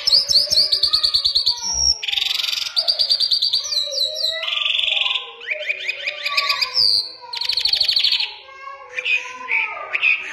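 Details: Lark of the Iranian Mashadi jal type delivering a full song of alternating high buzzy trills, quick rattles and descending whistled slurs, changing phrase every second or so.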